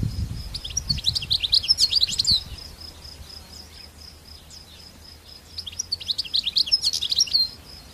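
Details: European goldfinch singing wild in open country, two separate bursts of quick, bright twittering a few seconds apart, with a steady thin high tone, light low rumble at the start, and quiet pauses between.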